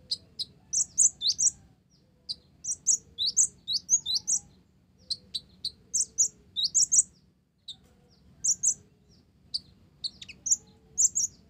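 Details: An olive-backed sunbird, its song filled with Java sparrow phrases, delivers bursts of three to six piercing high notes with short silent gaps between phrases.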